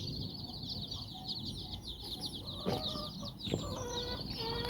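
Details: Hen and her nine chicks exploring on a walk in Bizkaia, Basque Country; busy high peeping chorus alongside lower hen clucks and purring notes, plus a few sharp knocks.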